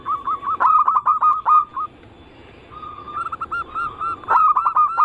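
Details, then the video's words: Zebra dove cooing from a lure recording of anggungan, local, Bangkok and crossing styles that prompts other doves to sing. Rapid trilled phrases with sharp accented notes, a near-silent pause midway, then the quick rolling coos resume. "Pancingan burung perkutut paling ampuh penarik Bunyi semua jenis burung perkutut Anggungan"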